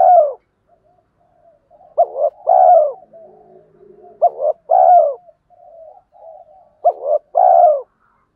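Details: Spotted doves, male and female, giving prodding coos to stimulate birds in training: three full deep phrases, each two short notes and a longer falling coo, about every two and a half seconds, soft murmuring between.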